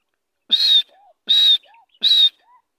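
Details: Grey francolin being released, giving three loud, strident, ringing notes spaced under a second apart. Each note is followed by a short, soft, rising note.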